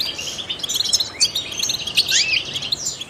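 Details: Goldfinch, trained songbird, in a brief burst of busy high twitter mixed with rising slurred whistles, continuous and bright.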